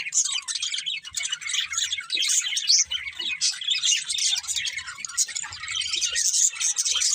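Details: Several budgies chirping together in a dense, continuous high chatter of twittering notes and short squeaks, with brief soft low thumps underneath.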